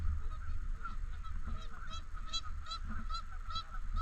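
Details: Canada geese at a park lake: busy honking with several bright, ringing, strongly layered calls bunched in the second half, set against a low rumbling background.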